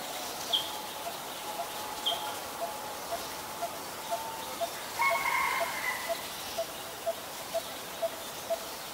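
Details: Coppersmith barbet, a very common resident in Ubon Ratchathani, Thailand, recorded 1 February 2020: a steady series of hollow single tonk notes, about two per second, with a brief louder crowing-like call from another bird midway.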